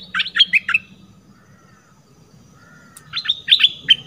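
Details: Red-whiskered bulbul lure recording: two bursts of four or five sharp, bright chirps separated by a quiet gap of about two seconds, with low background hum.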